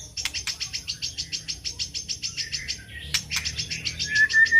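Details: Murai batu, the White-rumped shama, singing as a lure for other birds: a long even series of quick high chipping notes about three per second, broken by sharp clicks, ending in a thin level whistle.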